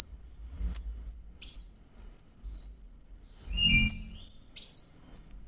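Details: Very high, thin orange-headed thrush song: long whistled notes, a sweeping upward slur, brief lower notes, and sharp chirps, with little background noise apart from a low rumble.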